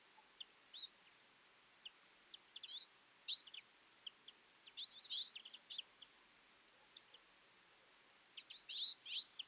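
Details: Winter feeding flock of Twite giving sparse high chirps and thin notes, broken by louder clustered twittering bursts roughly every one to two seconds from several birds at once.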